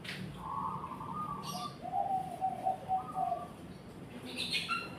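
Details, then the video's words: Zebra dove cooing in a steady stream of mellow, rolling notes that drop from a higher phrase to lower ones, with brief sharp bird chirps at the start and end. "Burung Perkutut"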